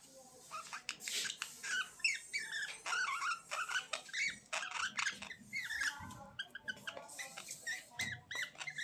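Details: Budgerigars chirping: a dense, continuous chatter of warbled, twittering and squeaky notes, with fast clicks and scratchy rasps mixed in, several birds apparently calling over one another without pause.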